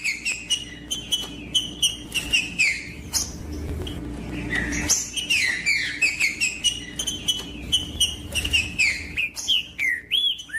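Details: Singing green-winged saltator, meant to excite a cold captive bird before tournaments; dense run of clear whistled slurs, many falling, with short chips and clicks throughout and faint low rumble underneath.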